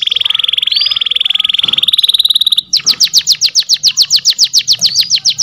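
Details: Canary singing as a master song for training: a fast buzzy trill that switches to slower, repeated downward-sweeping chirps about five per second.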